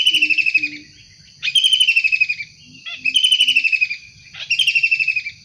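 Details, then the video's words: Wild kingfisher calling actively, for luring and tutoring birds: four loud harsh trills falling in pitch, spaced about one and a half seconds apart, with a few low soft hoots in the background. "Tengkek udang gacor asli alam liar"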